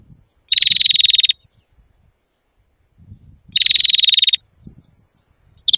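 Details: European greenfinch song used as a lure for trapping and for song training: two dense buzzy trills, each nearly a second long, separated by about two seconds of near silence with faint low rumble.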